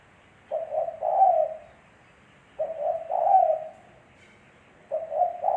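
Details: A spotted dove repeats its cooing phrase about every two seconds: a stuttered double hoot, then a longer, fuller coo. Three phrases are heard against near silence.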